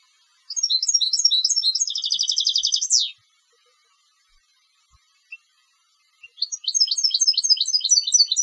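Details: European goldfinch kept for song contests, singing a twittering phrase that breaks into a rapid buzzy trill and ends in a falling sweep, then after a pause a fresh liquid twitter begins.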